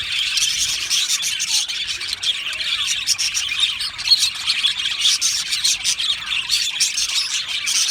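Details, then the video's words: Aviary colony of budgerigars singing and chirping: a steady, dense murmur of high warbles, chirps and squeaks from many birds, with a slightly louder burst near the middle. "Beautiful Australian Budgie birds aviary sound | Budgie singing and chirping sounds"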